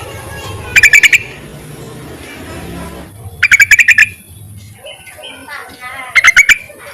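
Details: Yellow-vented bulbul call meant to summon males and serve as a lure: three short, fast bubbling bursts of about five notes each, spaced roughly two and a half seconds apart over a low background hum.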